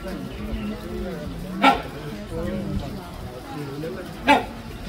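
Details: Two sharp, short barks from a captive great hornbill at Taipei Zoo, Taiwan, about two and a half seconds apart, with visitors murmuring and talking in the background.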